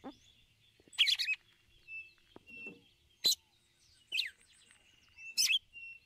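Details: Female red-cowled cardinal calling the male with the ticulau call to excite him: sharp, descending high chirps roughly every second, with a thin steady whistle held between them.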